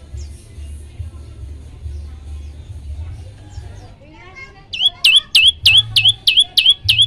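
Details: Song of an olive-backed tailorbird used to trigger singing in other birds: nearly five seconds of faint, scattered chirps and twitters, then seven loud, sharp, repeated whistled notes in an even, rapid sequence.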